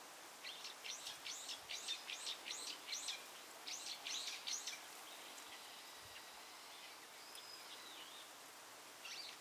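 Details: Brambling recorded on 5 November 2020: a quick run of about eleven harsh, buzzy chirps in close succession, followed by fainter thin notes and one more chirp at the end, over a quiet outdoor background.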